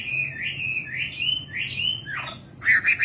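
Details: Nightingale singing a run of slurred, high warbled notes that sweep up and down, ending in a lower falling slide and then a brighter burst of rapid chirps.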